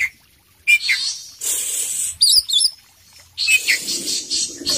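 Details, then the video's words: Kacer poci magpie-robin singing full isian style, with rough chattering phrases, a quick cluster of tinkling high notes, then a longer stretch of busy scratchy warbling after a short silence. "suara kacer poci gacor full isian"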